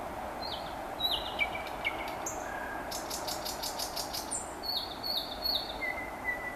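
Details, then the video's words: Common nightingale singing on a May evening near Vyazniki: quick repeated whistles, a long level tone, then a burst of loud dry rattling notes, with faint steady background noise throughout. "Chill out Nightingale Singing"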